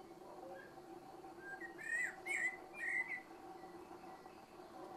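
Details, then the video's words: Unhurried evening song of a Eurasian blackbird, three rich fluty warbling phrases in close succession with squeaky high flourishes, against a soft continuous whine of mosquitoes. "Чёрный дрозд вечерняя песня!"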